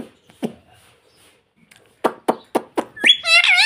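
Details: Talking ringneck parrot kept as a pet, first a series of sharp clicking taps, then a loud, quavering, harmonic phrase of rapidly wavering tones at the end.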